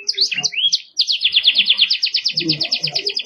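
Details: Canary opens with a few looping whistled notes, breaks briefly, then launches a fast, steady trill of repeated chirps. Faint low background sounds are heard under the bird. Sung in the 'cengkok mewah' style for tutoring birds.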